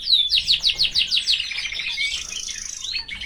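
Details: Caged canary singing with its family nearby: a run of rapid downward-slurred whistled notes about five per second, merging into a dense buzzy warble and ending with a few brighter chirps.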